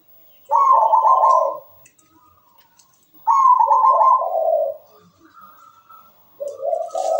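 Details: Local zebra dove (perkutut) in full song, used as a master recording to prompt other doves: soft low cooing phrases, each about a second long with a rolling, trilled quality, three bouts separated by quiet gaps.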